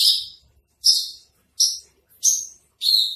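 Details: Javan bush lark of the spotted 'trotol' type, a masteran tutor recording: five separate high, sharp notes, each sliding slightly downward, spaced about two thirds of a second apart in a clean, quiet setting.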